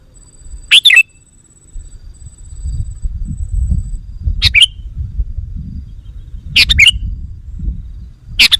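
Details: Sooty-headed bulbul lure call aimed at wild bulbuls: four short, scratchy-liquid phrases at uneven intervals, with low rumbling background noise throughout.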